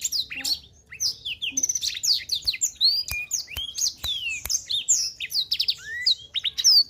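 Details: Black-throated canary singing energetically: long run of fast, high, varied phrases of downslurred whistles, rapid trills and rising sweeps, densely packed and nearly unbroken, with a few sharp clicks in the background.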